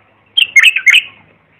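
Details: Brief bulbul phrase for tutoring young birds: a rapid, rich, gurgling warble of several notes, lasting well under a second.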